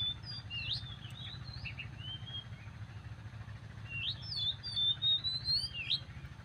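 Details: Oriental magpie-robin (Copsychus saularis) singing in the morning: bright, varied whistled phrases with sweet rising and falling notes, against a steady low rumble like engine or traffic noise.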